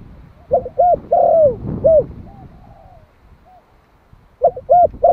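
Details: Caged one-year-old Malai spotted dove calling to lure others. A full phrase of soft hollow coos with a long downward-sliding note, faint distant cooing in the pause, then the next phrase starting, with low rumbling beneath.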